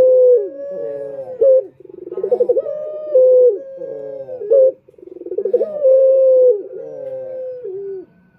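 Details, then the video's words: Male Barbary dove (puter) repeating its male-luring coo: throbbing bursts leading into long mellow tones with a downward roll, about three phrases in eight and a half seconds. "Pancingan Puter Jantan"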